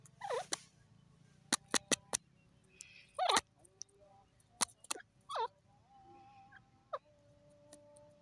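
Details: Several bending, downward-sliding calls from a jungle francolin, each brief and harmonic-rich, mixed with loud sharp clicks and faint lower notes over a humming background.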